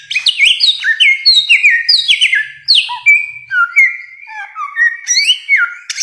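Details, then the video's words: Rich bare-throated whistler song from a long recording: a rapid cascade of loud whistles, each stepping down in pitch, then slower, mellow whistled notes that dip and rise. "masteran samyong 1001 suara durasi panjang"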